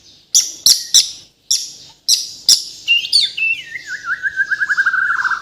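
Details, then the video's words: White-rumped shama of Bornean stock from Kalimantan singing isian: several loud sharp clicks, then a long descending trill of rapid whistled notes that gradually slows and drops in pitch. "MURAI BATU BORNEO GACOR FULL ISIAN || AMAZING BIRD CHIRPING MURAI BATU"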